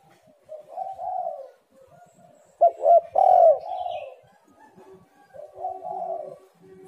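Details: A spotted dove in lively 'gacor' form gives calls recorded as a lure to prompt reluctant, quiet birds to call. It produces low, mellow, rolling coos, with a louder, sharper burst in the middle, in otherwise quiet surroundings.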